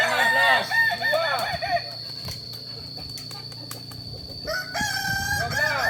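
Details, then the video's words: Roosters of the Kukuak Balenggek breed, ornamental chickens from Solok, West Sumatra, crowing at a practice gathering. Arched, wavering crow syllables repeat in a string, fade into murmuring, and start again near the end. "Latberan ayam kukuak balenggek akb ayam hias asli solok sumbar"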